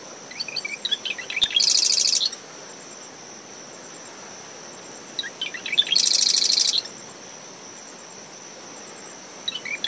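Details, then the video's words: Marsh wren repeating its song about every four seconds in early morning from dune shrubs around a nest, ten meters from the high tide line: brief chattering intro then a loud buzzy rattle. Cricket drone, wind and waves beneath. "Marsh Wren Calls from Dune Vegetation"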